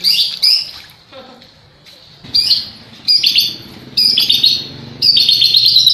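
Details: Energetic white-rumped shama delivering lovebird-imitation phrases: short, bright chattering bursts of high chirps separated by brief pauses, growing longer and more continuous toward the end, with low faint background noise.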